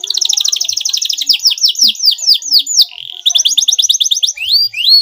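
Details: Canary song used as a lure to provoke a rival to respond: loud, fast rolling trills of high repeated notes, then a brief pause and another rapid trill ending in rising whistled slurs.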